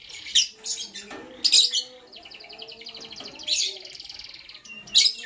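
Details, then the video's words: Lovebird sounds in the morning: loud, harsh shrieking bursts alternating with rapid, buzzy, stuttering trills at a high pitch. "Sweet Lovebird Sounds - Chirping Sounds"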